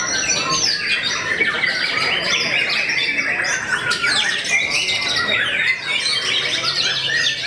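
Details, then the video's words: White-rumped shama, described as famous for overpowering many rivals, pouring out continuous fast song of mixed whistles, sharp chirps and rattling phrases that rise and fall without a break. "SUGALI MURAI YANG TERKENAL BIKIN NGLOWO BANYAK MUSUHNYA"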